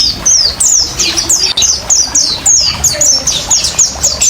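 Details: Oriental white-eye giving a wild-style 'ngriwik ngalas' song, used as a lure and therapy for caged birds and mixed with trickling water: rapid high, thin, downslurred whistled notes tumbling one after another in a continuous twittering stream.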